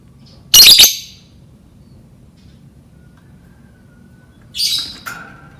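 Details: Lovebird call used to lure lovebirds into learning to chirp: a loud, shrill, rasping double chirp, a long pause, then a softer burst of harsh chirps.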